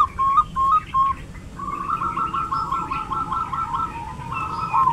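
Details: Zebra dove singing in a quiet rural village, Prembun district, Kebumen Regency, Central Java: short whistled coos, then a long run of quick rolling notes at steady pitch, about three per second; other birds faintly behind.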